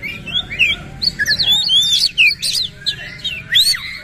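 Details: Oriental magpie-robin singing energetically, delivering harsh 'isian kasar' material with tail opened: rapid swooping whistles and twangy notes packed together, then a short pause before a final sharp burst.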